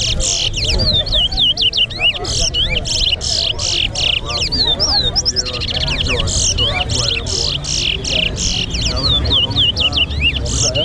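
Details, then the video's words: Two Large-billed Seed-Finches (towa towa birds) sing against each other in a competition at Lusignan bird ground: quick runs of bright, sweeping whistles rising and falling, over loud crowd chatter and clatter. "TOWA TOWA BIRD SINGING"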